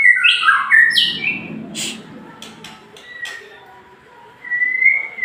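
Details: Whistled song of a male white-rumped shama (murai jantan): a loud burst of tumbling clear notes at the start, a quieter middle with scattered clicks, then a long level whistle near the end.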